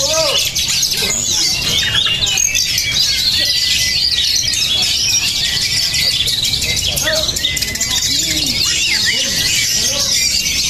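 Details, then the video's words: Oriental magpie-robin, praised as emotional and steel-nerved, delivers a long run of sharp, high whistles and twittering notes, steady throughout, with faint voices and background noise. "kacer beremosi tinggi dan bermental baja"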